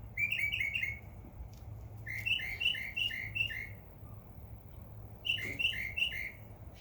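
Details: Rapid runs of four or five quick down-slurred chirps from birds in a backyard in summer, three bursts separated by short pauses.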